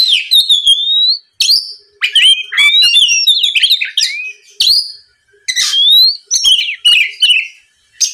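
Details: Oriental magpie-robin lure song played to make rival birds reply and sing vigorously: a rich run of varied whistles, sharp chips and downward slurs in short bursts with brief pauses, with no other sound in the background.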